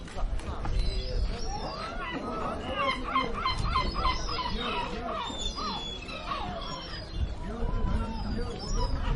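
Gulls give a rapid series of harsh, arching mewing calls, several birds overlapping, over a steady rumble of crowd chatter and market noise.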